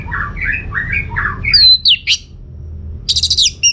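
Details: Orange-headed thrush singing as a lure for other birds to answer: a run of short, rising buzzy notes, sharp, high, twisting whistles, a pause, then a rapid burst of high stuttering notes.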